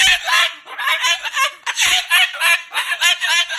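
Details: Moluccan cockatoo, angry and loud, chattering rapid harsh syllables in a steady, scratchy stream of cursing talk.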